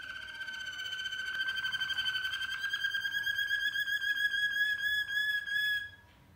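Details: Malinois canary in full song: a long, sustained, low rolling tour of fast pulsed notes that gradually grows louder, then stops abruptly near the end, leaving quiet room noise.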